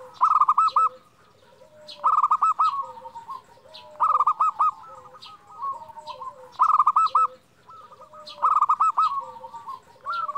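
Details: Lively local zebra dove, kept as a lure bird to prompt quiet doves to call, repeating stuttering trilled coos followed by softer lower tones, a phrase roughly every two seconds.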